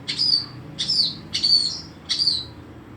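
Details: Long-tailed shrike in full song, giving strong high notes that slur downward, repeated about every 0.7 seconds, with quiet pauses between.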